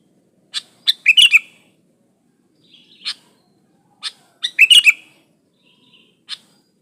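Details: Sooty-headed bulbul singing, unmixed original song used to lure other bulbuls into singing: scattered sharp single chips between two rich rollicking bubbling phrases, the phrases about three and a half seconds apart.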